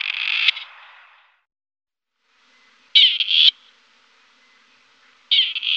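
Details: Grey partridge giving harsh, rasping calls: a loud grating burst at the start, then after a silent gap two more short scratchy bursts about two seconds apart. No other sounds.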